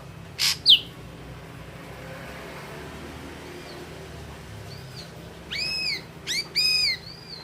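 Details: Ashy drongo song, known locally as red-eyed grey drongo: an early pair of sharp high notes, then a run of ringing, arched whistles with harmonics, some doubled, over a steady low background hum.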